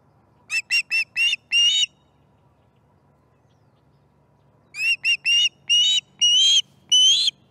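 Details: Osprey at its nest during a morning feeding, September 2019: a quick run of five short whistled chirps, a pause of about three seconds, then a longer series of chirps lengthening into drawn-out whistles.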